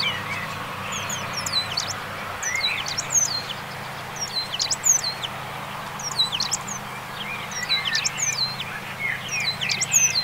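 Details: Eurasian penduline tit song at a small pond in central France on 21 March 2020, an early passage: thin, high, drawn-out whistles, often falling or slurred, repeated in loose bursts over a soft low hum.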